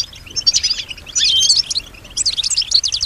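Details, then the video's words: European goldfinch hen kept as a pet and said to imitate other sounds gives bursts of fast, high, liquid twittering separated by a brief lull, with bright tinkling notes dominating. "keep your goldfinch healthy and singing"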